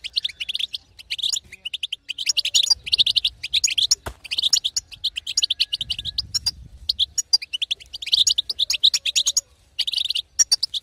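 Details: European goldfinch female twitter meant to stir a male into singing; long stretch of fast, high, liquid chirps in repeated bursts with brief gaps and faint low rumble in places.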